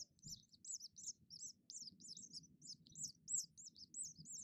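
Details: A male house finch at a nest in a hanging basket gives sharp, high alarm chirps, about two or three a second. He calls on hearing a human voice from the house, and the eight-day-old nestlings heed him. Low background rumble.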